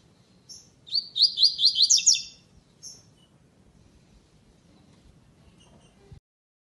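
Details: Double-collared seedeater singing in the classic style without the third note, entered in the second stage of a web singing tournament. A bright, high, rapid trill of sweeping notes lasts about a second, followed by a lone chirp over low background hum.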